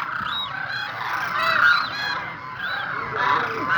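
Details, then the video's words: Flock of Demoiselle Cranes (koonj) calling together, overlapping harsh, rolling trumpeted notes, each arching up then down, several per second. "Crane birds, koonj birds"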